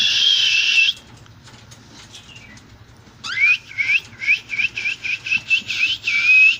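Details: Cockatiel calls: a loud harsh screech, a pause, then a rapid series of short rising whistled chirps repeated about twice a second, ending in a louder whistle.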